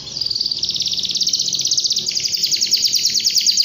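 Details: Canary singing 'gacor' style, loud and continuous: a rapid trill of high buzzy notes repeated about three times a second, shifting to a faster, higher rattling phrase midway.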